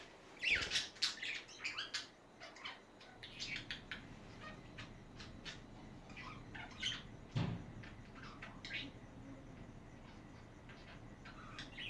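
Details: Pet budgerigars chattering indoors: a busy run of short, high, scratchy chirps and squeaks, densest at the start and thinning out later, in a small quiet room.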